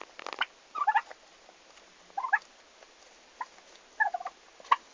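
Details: Farm turkeys on their day of arrival, 11 August 2015, uttering short chattering call bursts spaced about a second apart, with a few rustling clicks and taps around them.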